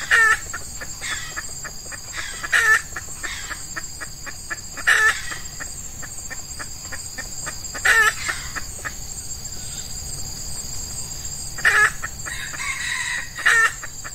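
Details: Red junglefowl, lured in early morning with an F1 hen decoy during the Ramadan season when wild males are in heat: sparse, brief, harsh bursts every two to three seconds against continuous shrill insect drone.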